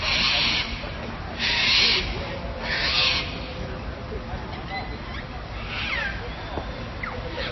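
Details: In June 2025 in Melbourne, a wild large white cockatoo with a yellow crest, perched on a traffic light, gives four harsh, raspy screeches, each about half a second long and one to three seconds apart, over city traffic rumble.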